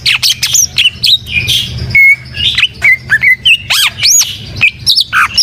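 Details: Greater green leafbird in rich mimicking-style song, with squeaky whistles, looping slurs and sharp chips in quick succession over a low background hum.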